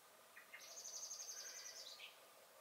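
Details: Common blackbird (Turdus merula) in a garden on 23 May 2021, singing and giving alarm calls; two short low notes lead into a long, high, rapidly pulsed trill that drops at the end, over steady background hiss.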